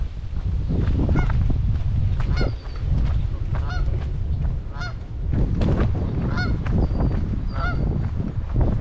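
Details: Canada geese in a protective ring around goslings on a Michigan pond in May 2021 honk repeatedly, each call harsh and stacked with overtones about once a second, with a few faint high peeps and strong wind rumble beneath.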